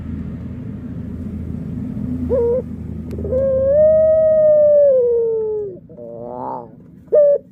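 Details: Puter pelung dove song: a short coo, then a long smooth sustained coo sagging at the end, a rapid burbling rolled phrase and a final clipped coo, over a steady rumbling background noise.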